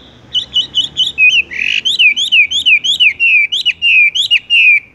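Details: Horsfield's bush lark delivering a 'tung roll' song that hangs, then rolls: quick high chips open into a steady run of sharp, bent whistled notes, repeated briskly with little pause between them.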